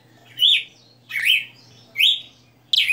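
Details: Red-cowled cardinal kept by its owner, singing the 60 notes style: three rich slurred whistles spaced under a second apart, then a new phrase beginning, with a soft steady hum underneath.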